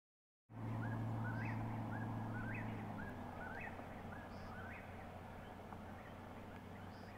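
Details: Eastern Whip-poor-wills calling at sunset near mines in Warrick County, alongside American woodcocks; its rolling whistled whip-poor-will phrase repeats about once a second, fairly distant, over a steady low engine-like hum.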